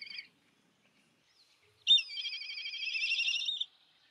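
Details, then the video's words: Begging call of a black kite: a short high note, a pause, then a long wavering, rapidly quavering whine of nearly two seconds that swells slightly toward the end, against a quiet background. "Black Kite Begging Call"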